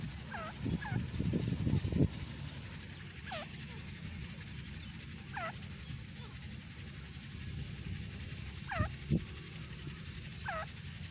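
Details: Big Indian teetar, the grey francolin, calling with curled descending ringing notes scattered irregularly across the recording. Constant low rumbling noise throughout, with a cluster of knocks and thuds near the start.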